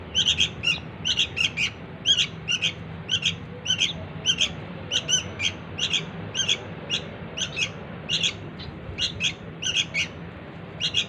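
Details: Begging calls of a young sooty-headed bulbul used to bring its parents in: bursts of harsh, high chirps in pairs and threes, repeated throughout over a low hum.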